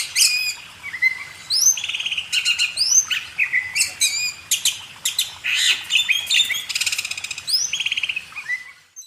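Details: Oriental magpie-robin (kacer) training recording for cage birds: loud, busy song of buzzy rapid trills, upslurred whistles and harsh chattering notes, repeated in quick bouts throughout.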